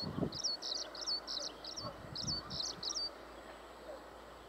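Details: Skylark giving a short burst of about eight clipped, high chirping notes in quick succession, then falling silent, with faint low knocking beneath.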